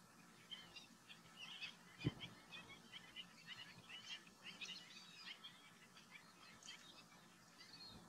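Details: A flock of lesser whistling ducks, gregarious, tree-perching birds, gives shrill, wheezy whistles, overlapping constantly, with a low background rumble and one dull thump.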